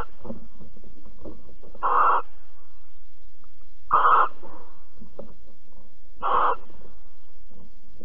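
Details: Barn owls during mating and cuddling at Alphen on 22 April 2020: three rasping hisses spaced about two seconds apart, with soft scratchy rustling and a low hum between them.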